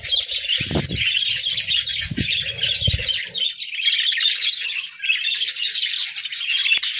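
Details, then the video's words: Pet budgerigars in steady chattering song, many overlapping chirps and warbles forming an unbroken stream, with a few low thumps and rustling noises early on. "Joyful Parakeets🐦🦜: Daily Chirping, Songs, and Fun!"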